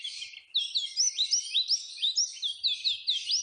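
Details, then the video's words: Oriental white-eye song used to stimulate caged birds: rhythmic run of bright, upward-curving chirps, several per second, over a dense high twittering. "Pancingan supaya pleci cepat gacor"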